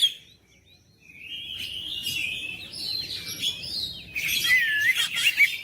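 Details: Kacer, the oriental magpie-robin, singing to provoke quiet birds into vigorous song: a long, continuous warbling stream of sliding whistles that rises in intensity, with a dense, scratchy chatter toward the end.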